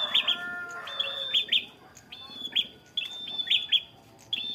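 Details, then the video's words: Bar-winged prinia kept as a fighter bird, delivering long level high whistles with emphatic sharp endings, spaced about a second apart, opening with a brief lower warbled phrase. "prenjak kepala merah fighter ngalun mewah berwibawa nancep satu titik"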